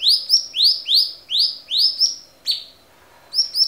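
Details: Stripe-throated bulbul, a clear-voiced recording meant as a master for training other songbirds, gives a quick series of high, clear rising whistles, about three per second, with a brief pause before the phrase resumes.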